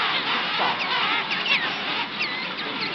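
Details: Massive king penguin colony at Salisbury Plain in the Falklands, sunny weather. A thick chorus of many birds gives wavering, bugling calls that rise and fall, layered into a constant roar.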